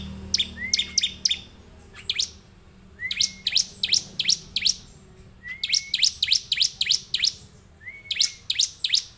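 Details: Gacor singing of a bar-winged prinia used to get other prinias singing: clustered runs of four to six piercing downslurred chips, each cluster introduced by a short rising whistle, repeated through the recording.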